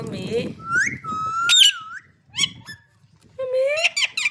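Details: Green parrot vocalising indoors: a mumbled speech-like start, then long clear whistles that rise and dip, sharp squeaks and a final burst of squeaky talk-like notes.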